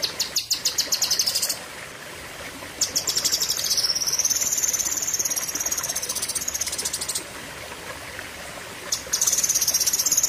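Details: Cucak kinoi singing a long, fierce burst: a fast chirping series, then an extended shrill, wavering buzzy trill lasting several seconds, ending with renewed rapid chirps.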